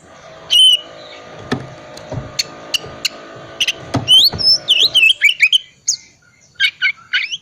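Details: Oriental magpie-robin, a cold-type bird, song used as a lure to set silent birds singing: clicks and taps in the first half, then sharp high whistled notes and quick rising-falling phrases over a faint low hum.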